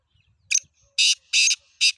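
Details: Kala teetar, the black francolin, delivering a loud rasping call phrase: a short buzzy note followed by longer harsh grating notes in rapid rhythm, with faint low thumps before the call.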